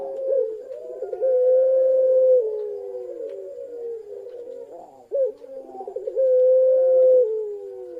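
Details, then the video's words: Parade of pelung-style ringneck doves, one female among the group: two long coos, each opening with quick stuttering notes before settling into a sustained, clear, level tone, separated by a short pause. "Parade Suara Puter Pelung Paud"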